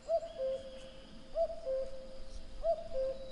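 Common cuckoo giving its familiar two-note 'cu-ckoo', the second note lower, repeated three times about every 1.3 seconds over a faint hiss.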